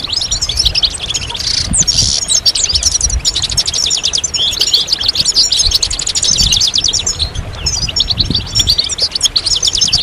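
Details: Several European goldfinches in group chatter, a 'batbata' style meant to stir males into song. Dense, high, rapid twittering and tinkling notes run almost without pause, with brief buzzy bursts near two seconds and a low rumble underneath.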